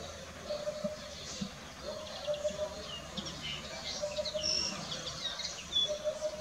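A Eurasian hoopoe gives soft, low hooting 'oop-oop-oop' phrases, repeated about every two seconds, while other birds chirp and twitter high above.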